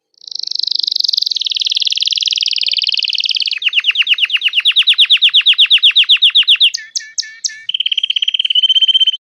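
A red Belgian canary sings a long, clean song: a high rolling trill, then a fast run of sweeping down-slurred notes, a few sharp chips, and a steady lower trill.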